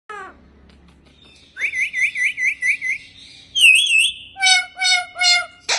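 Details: Pet Indian ringneck parakeet, a talking parrot, giving a quick run of six rising whistled notes, a brief pause, then a looping whistle and four louder harmonic-rich calls, ending in a sharp burst; quiet room background.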